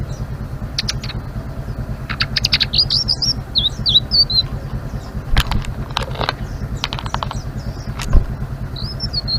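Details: Blue-winged leafbird in 'ngeriwik' style giving short, scattered high twittering phrases broken up by loud sharp clicks and taps, over a steady low hum.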